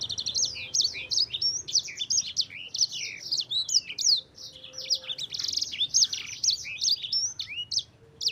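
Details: Yellow-fronted canary in an extended rolling song used to lure and train other birds: fast, high chirping and twittering phrases, buzzy bursts and slurred whistles pouring out continuously for eight seconds, with a faint low hum behind.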